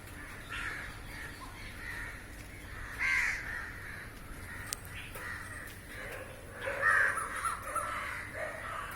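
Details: A mass of crows flying and preying on insects in the air; scattered raspy caws rise to louder, clustered calls near the end, with a sharp click in the middle.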